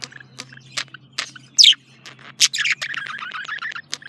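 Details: A male budgerigar gives scattered sharp chirps and clicks, then a rapid chattering warble of buzzy notes near the end, with a faint continuous low hum beneath.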